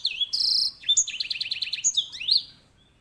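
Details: A grey singing finch pours out a bright song: a sliding whistle, a sustained buzzy note, then around ten fast repeated notes and a final rising sweep.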